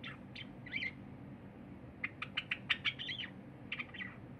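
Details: Cinnamon Java sparrow kept as a pet, singing on 23 January 2021: a short warbled phrase, a pause, then a fast string of dry clicks mixed with bell-like, slurred notes, ending with more soft warbles over a quiet hum.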